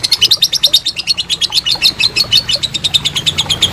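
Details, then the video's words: Long ngekek chatter of a lovebird, a master recording for training contest birds: dense, rapid, high-pitched notes run together into a continuous rattling trill with no pause. "Masteran Lovebird Ngekek Panjang"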